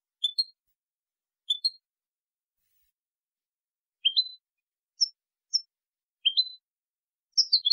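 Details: European goldfinch, 2020 clean song recording: sparse upslurred whistles and thin high single notes at irregular intervals, ending in a brief twitter. Nothing else is heard.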